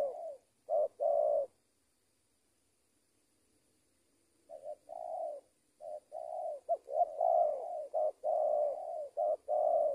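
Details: Spotted dove (tekukur), a trained lure bird. Two low coos open the passage and a long pause follows. Then comes a quick, uneven run of short and drawn-out coos that grows busier toward the end.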